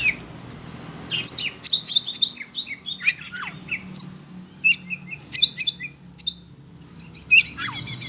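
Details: Caged Oriental magpie-robin (kacer), worked up on hearing other birds, sings loud, varied bursts of sharp chirps, high whistles and rapid trills, with brief pauses between phrases.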